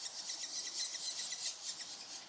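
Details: Nestling Banded Woodpeckers, two chicks close to fledging, calling from their nest hole in Singapore on a dull overcast morning while waiting to be fed; rapid, high-pitched hissy pulses repeat in a continuous chattering stream.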